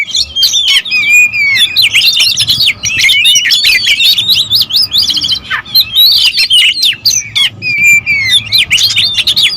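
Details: Territorial oriental magpie-robins in a noisy dispute, a continuous loud mix of sweet whistles, fast slurs and raspy chatter from more than one bird, with a faint hum underneath.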